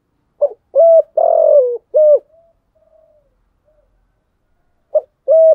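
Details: Spotted dove used as a lure bird, cooing to stimulate other doves to coo: low, hollow phrases of two short clipped notes followed by a longer rough, slightly falling coo, then silence and the phrase starting again.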